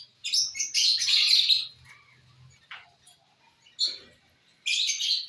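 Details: Lovebirds feeding on corn, with loud shrill chattering bursts of squeaky chirps separated by brief quiet gaps, and a faint low hum underneath.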